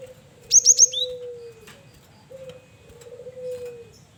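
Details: Male cinereous tit used as a lure, singing lively varied phrases: a rapid run of three piercing high chirps dropping into a lower slurred note, then quiet with a steady low tone in the background.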